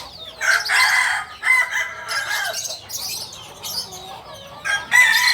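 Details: Kukuak balenggek rooster from Solok, West Sumatra: a long crow broken into several loud, layered segments with abrupt pitch steps and pauses between them, with small birds twittering behind.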